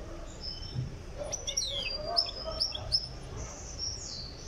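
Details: Tiaret goldfinch in Algeria, still in training for song, delivering a lively run of high tinkling twitters, quick downslurred whistles and sharp chips, clear over a low rumbling background.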